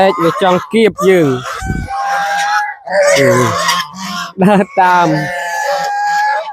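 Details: Domestic geese on a small village family farm honk at evening feeding time, fed banana stalk mixed with rice bran; loud harmonic honks come in quick runs with a steady nasal tone between them, and a man speaks at times.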